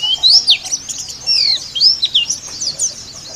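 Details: Oriental white-eye, dakun type from Kitamani, singing a rough 'ngeriwik' song: quick high, sharply sweeping whistled chirps and slurred twitters, delivered in short uneven bursts.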